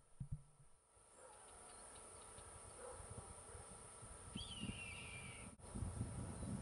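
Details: A soaring Red-tailed Hawk in Louisiana gives a single hoarse, high screech slurring downward for about a second over steady low rumbling background noise.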